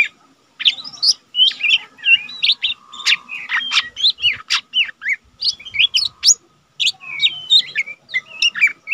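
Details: Caged lesser green leafbird, still untrained but singing eagerly, used to tutor other cage birds: a dense, fast medley of sharp chirps, buzzy notes and brief twisting whistles, barely pausing, with a faint steady hum behind.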